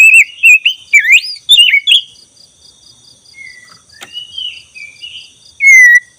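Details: Lure song of a black-breasted Oriental magpie-robin, singing persistently: rapid twisting whistled phrases for two seconds, then quieter scattered whistles and a final clear downslurred note, with a regular pulsing background tone.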